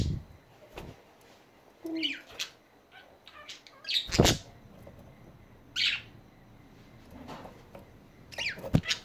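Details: Budgie chatter: scattered warbling chirps and sharp clicks, broken by a few dull thumps and rustles, with quiet gaps between the bursts.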